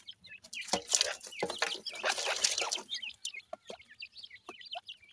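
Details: Bred Grey francolin chicks feeding: thin high peeps continue throughout, partly masked by loud broadband rustling and scratching in the first three seconds, then clearer repeated chirps with sharp clicks.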